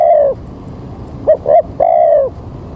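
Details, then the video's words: Spotted dove at a morning trapping site under threatening rain: a long sliding coo ends one phrase, then two short notes and another long downward coo follow after a pause. "Mikat Tekukur"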